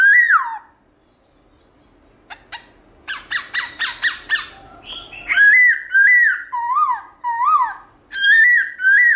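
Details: Black-throated laughingthrush singing a forest-style song in the morning, with varied voice changes. A harsh opening slur is followed by a quick run of short buzzy harmonic notes, then a string of clear, bending whistles at an irregular pace.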